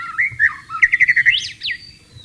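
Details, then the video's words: White-rumped shama in breeding condition and wanting to mate, recorded wild with a clear voice: varied whistled phrases, then a quick run of about six bright chirps, ending in sharp rising and falling sweeps. "MURAI BATU GACOR BIRAHI MINTA KAWIN"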